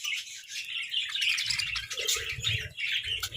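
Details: Pet budgerigars competing for favourite treats, a flock's rapid, scratchy chirps and twittering warble pouring out continuously, soft bumping noises underneath.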